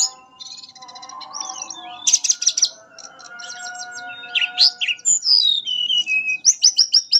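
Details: Melodious fluting song, locally called nyuling, from a mangrove blue flycatcher. Varied bursts of high chirps and trills give way to descending whistled slides and a closing series of rapid repeated notes, with steady humming tones throughout.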